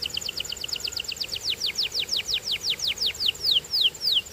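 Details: Canary song built from repeated descending whistled sweeps, starting quick and short and gradually becoming longer and more spaced, around four per second, clear and high.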